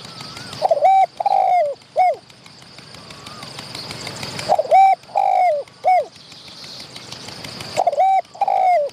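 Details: Spotted dove, wild, calling close by in reply to a decoy while chasing a rival wild bird. Three-note coo phrases repeat about every four seconds, each ending in a falling note, over a steady hiss.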